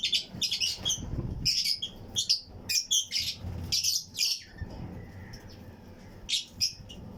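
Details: Aviary colony of Fischer's and Lutino lovebirds in a flight cage, other birds nearby. Quick bright chirps and squeaks come in clustered bursts for four seconds, then fade to a few isolated notes.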